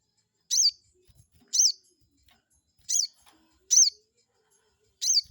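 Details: Crested jay call used as a lure to provoke a rival: five bright, high, downward-curving notes at irregular gaps of about one to one and a half seconds.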